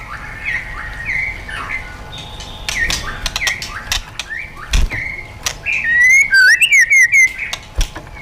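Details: Wild-style song of a White-rumped shama, played to train caged birds. Soft scattered whistles and clicks give way to a loud run of rapid, zigzagging whistled notes toward the end.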